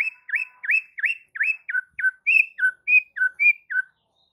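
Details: White-rumped shama song to set off other shamas singing: a series of about twelve loud upward-sweeping whistles, then alternating high and lower whistled notes, roughly three per second.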